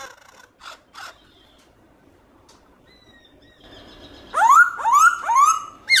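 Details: Black-throated laughingthrush in forest-style song, loud and clear with many voices. Faint scattered notes and quiet background give way to three loud rising-falling whistles near the end, then a final upward note.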